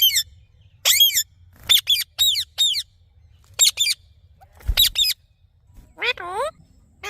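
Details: Rose-ringed parakeet uttering a rapid run of sharp, shrill squawks in irregular bursts, then a longer, lower, downward-bending squawk near the end.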